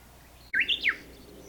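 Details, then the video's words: Japanese bush warbler recorded by digiscope on 26 May 2019: a single brief, clear whistled phrase that steps upward in quick notes, then sweeps down sharply, lasting under half a second over a faint low hum. "ウグイス （Japanese bush warbler）"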